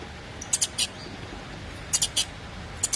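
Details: Saffron finch chick calling its mother: thin, very high, sharp notes in tight clusters of two or three, clusters returning about every one and a half seconds over a steady low hiss.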